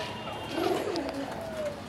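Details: Domestic pigeon of a local Bangladeshi breed, one of a breeding pair, gives a soft, low, rolling coo over faint background voices.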